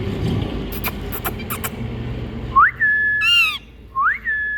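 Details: Indian green parrots calling: clear rising whistles that level off into flat tones, with a burst of harsh, layered squawking in between, heard over a busy, noisy background with brief taps early on.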